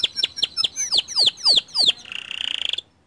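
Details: White canary song used as a lure to get other canaries singing: a run of loud, steeply falling whistled sweeps repeated several times a second, ending in a fast, buzzy, even trill.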